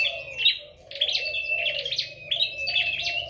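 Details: Red-headed flowerpecker in a singing contest, giving two or three quick bursts of high, crisp chittering notes over a level whistle, with a soft lower warbling behind.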